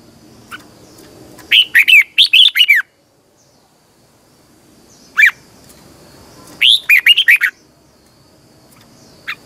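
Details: Morning song of a caged red-whiskered bulbul, a twisting double voice used for training birds: two rapid phrases of looping whistled notes several seconds apart, with scattered single chips before, between and after.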